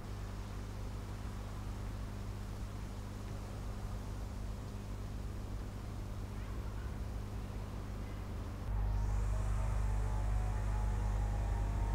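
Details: Steady low engine rumble from a vehicle or vessel, growing louder near the end, with no animal calls heard.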